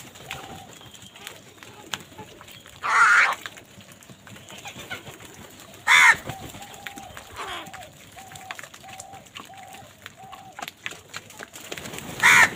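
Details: Three loud, grating caws spaced about three seconds apart come from crows fighting for food. A row of short, steady, even tones repeats in between, with light outdoor noise.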